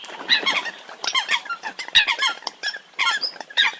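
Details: Eurasian coots calling as a crowd: dense overlapping short nasal honks and squeaky yelps, mostly high-pitched, tumbling over one another with no clear rhythm.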